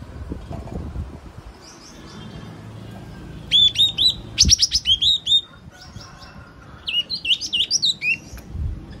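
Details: Song of the yellow-cheeked tit: a series of crisp, high whistled notes delivered in quick bursts, one steady repeated phrase and then a more varied, bouncing run of rising and falling notes, over low ambient noise.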